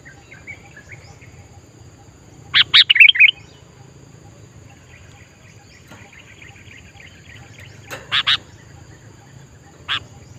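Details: Wild sooty-headed bulbul heard in nature: two short bursts of chirpy, bubbly notes a few seconds apart, then a single sharp note, over a quiet background with faint distant twittering.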